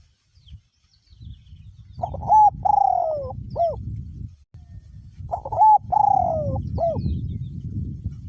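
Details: Spotted dove, a caged decoy bird with a small-to-middle voice, cooing in strong wind: two phrases, each a short clipped note, a long mellow descending coo and a brief final note, over low rumbling wind.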